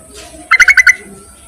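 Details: Yellow-vented bulbul calling males, a recording meant as a lure: one short burst of five quick, bubbly chirps, evenly spaced and loud, over a faint background hiss.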